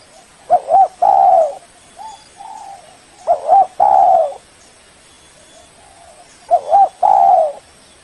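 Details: Spotted dove lure call meant to summon a rival: repeated phrases of two rapid hooked coos followed by a long full coo, three loud bursts with gentle quieter coos filling the gaps.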